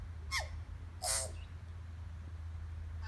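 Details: A tui (Prosthemadera novaeseelandiae) at Rainbow Falls, Kerikeri, New Zealand, calling and answered by another tui in the distance: two harsh, wheezy notes about three-quarters of a second apart, the second louder, over a steady low rumble.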